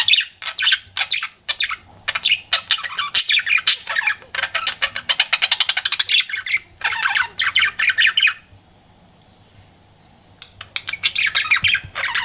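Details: Flirting pet budgie producing long runs of rapid, clicking chirps and buzzy chatter, a roughly two-second silence, then another burst of scratchy warbling.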